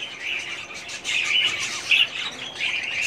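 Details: Breeding colony of budgerigars in 2017, many birds chattering at once: steady high twittering and warbled chirps, one louder squeaky note standing out near the end.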